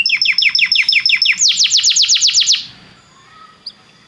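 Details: Belgian canary singing to warm up a canary: a rhythmic run of doubled chirping notes, then a faster series of sharp downslurred whistles that stops abruptly, followed by near quiet.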